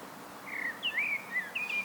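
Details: Solo song of a common blackbird, Turdus merula: a short burst of slurred, mellow whistled notes rising and falling, several quick phrases in under two seconds against a soft hiss.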